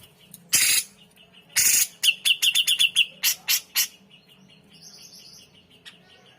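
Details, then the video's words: Grey-cheeked bulbul, vigorous chattering song: harsh explosive bursts, a fast run of about ten sharp high chips, more loud staccato notes, then quieter repeated chips and a faint buzzy trill in the background. "MASTERAN CUCAK JENGGOT Full Isian Gacor"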